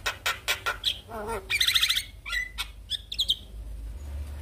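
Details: Black-winged starling song played in the morning to stir a quiet bird into singing: a loud, varied mix of harsh clicks, whistled notes near 4k, and rapid trilled bursts.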